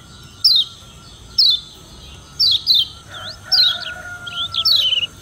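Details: Yellow white-eye from Lombok (kecial kuning) in rival-challenging vocalizing. Sparse, sharp high chirps that slide downward, given roughly once a second, with a faint steady hum and a brief lower whistle in the background.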